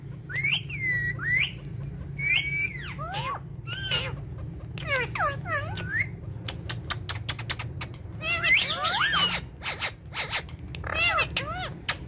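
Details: Playful pet parrots on a charpai keep up a busy mix of arching whistles, falling slurred notes, harsh squawks and rapid clicking bursts throughout, with a low hum behind.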